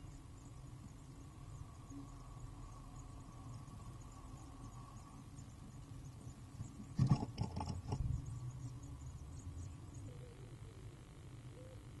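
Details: A steady low hum fills the recording, broken only by a brief burst of scratching and knocking partway through; no calls can be picked out.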